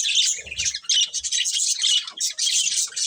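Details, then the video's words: Pet budgerigars in a family group chirping continuously: dense, bright warbling chatter of rapid twittering notes with short breaks, several birds calling over one another. "Cute Budgies Chirping Sounds"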